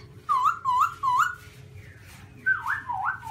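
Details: Garrulax chinensis, the black-throated laughingthrush with white cheeks, sings three quick upslurred whistles in a row, a short gap, then two louder swooping downslurred notes; low background hum.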